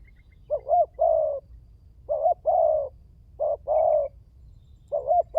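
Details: Spotted dove (tekukur) lure calls for prompting other doves to call: four repeated phrases of a quick two-part note then a sustained coo, with a faint high chirp in the background.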